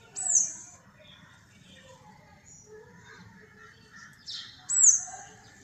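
Sparrows give two bright, high chirps with downward sweeps, about four seconds apart, over a faint background of other soft twittering.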